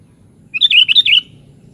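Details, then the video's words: One bright, bubbly warbled phrase of several quick rolling notes from a sooty-headed bulbul (kutilang), lasting under a second, with a soft low hum behind it. "SUARA BURUNG KUTILANG"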